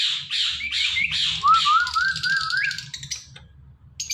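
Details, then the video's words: Ringneck parrot talking, giving a run of raspy, squawky voice-like notes that slide into a wavering whistled phrase rising in pitch, then trailing off into soft scratchy chatter. "Ringneck Talking Parrot"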